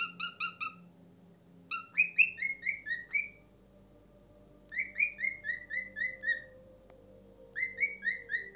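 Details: Pet cockatiel indoors producing bursts of clear, harmonic whistled notes in runs of four to seven, some notes sliding slightly downward, with quiet pauses and a faint room hum between bursts.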